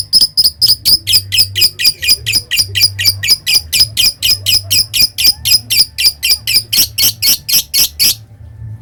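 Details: Lovebird in long ngekek chatter, the prized extended song of kept birds: a continuous, evenly paced train of shrill, rasping high notes, about two per second, running for eight seconds before stopping abruptly, with a faint low hum beneath.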